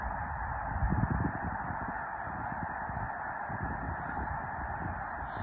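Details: Snow geese departing Mobridge, South Dakota, on March 4: a continuous blended chorus of honks, louder at first with low wind-like rumbling, then settling into an even roar.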